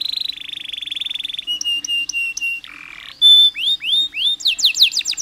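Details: Canary's varied song played to stimulate stressed canaries: a buzzy high roll, spaced bell-like notes, a lower nasal buzz, a clear whistle, then rising and falling swooping phrases with short gaps.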